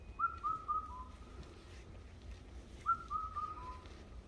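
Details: Bird song in a mountain forest: pure whistled notes stepping gently downward, three quick notes then a lower one, repeated twice with a pause of about two and a half seconds, against a quiet natural backdrop.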